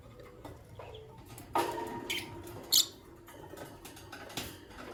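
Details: Green Personata and albino lovebirds in the morning: a few short, shrill, high chirps spaced a second or so apart over a quiet room hiss.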